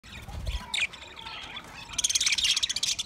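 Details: Budgerigars from a group of 20 pairs chirping, with dense warbling, buzzy chatter and sharp chirps that swell into a loud, rapid, pulsing burst in the second half; a few low thumps at the start.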